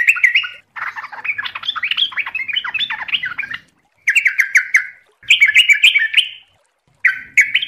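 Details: Sooty-headed bulbul (trucukan) pouring out long runs of fast, jumbled, chattering and warbling notes, broken by brief silences, then restarting with bright bubbly phrases.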